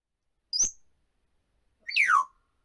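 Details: Talkative pet African grey parrot indoors, waiting and repeatedly telling itself "wait": a brief sharp high peep, a pause, then a loud whistle sliding steeply downward from high to mid pitch, with silence around.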